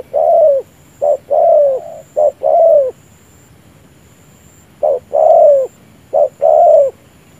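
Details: Decoy spotted dove with an unusual cooing style, dipping its chest down, used to trap wild doves: two bursts of soft paired coos, a brief note followed by a drawn-out hollow one, separated by a few seconds of quiet.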